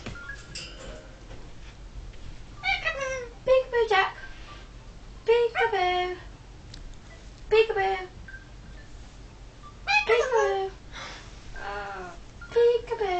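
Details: Three-year-old male yellow-fronted amazon, a talking and singing pet parrot, uttering repeated short speech-like bursts with strong harmonics and dropping inflections every second or two, indoors with faint music and human voices.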